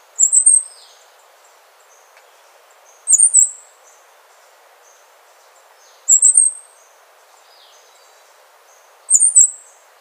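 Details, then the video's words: Wrenthrush, a species resident in Panama and Costa Rica, giving very high, thin, slurred phrases about half a second long, repeated roughly every three seconds, four phrases in all over a faint steady background hiss. "O canto do Pula Pula de Rabo curto ( Zeledonia Coronata )"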